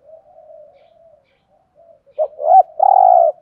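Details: Decoy spotted dove in the 'giọng thổ' style: soft faint cooing at first, then a sharp short note, a bent coo and one long steady mellow coo closing the phrase.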